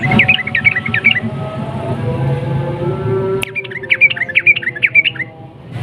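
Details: Provoking song of a sooty-headed bulbul: a short burst of rapid chattered notes, a pause with low background rumble, then a second bubbling run of about six quick notes.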